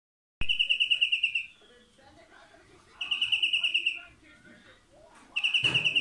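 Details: European greenfinch (Chloris chloris) song: rapid, ringing trills about a second long, repeated roughly every two and a half seconds, with faint background murmur between phrases.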